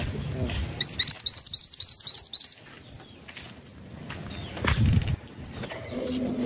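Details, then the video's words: Masteran tutor songbird giving a fast, even run of about ten bright, high chirps over nearly two seconds, followed by quieter background with a soft low thump. "BURUNG MASTERAN IMUT NAN CANTIK..SUARANYA BAGUS ADEM SEJALUR"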